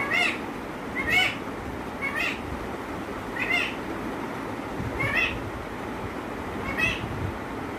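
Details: Pet parrot that says "mummy", recorded on 17 August 2021. Short nasal two-part calls repeat roughly once a second, six times, over a steady low background hum.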